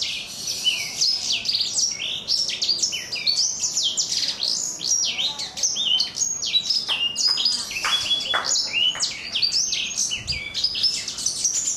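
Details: Extended chattering song of a black-throated canary aged four months, with a rough but crunchy "kriuk-kriuk" voice and a fast, unbroken series of high chirps and sliding notes.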